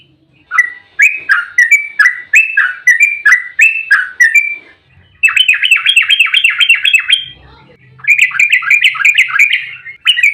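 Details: Yellow-vented bulbul giving an agitated fighting song in a rapid 'ropel' style, used as a lure to make other bulbuls answer: fast runs of bright, bubbly downslurred notes, a short pause, then a denser trilled burst and another run.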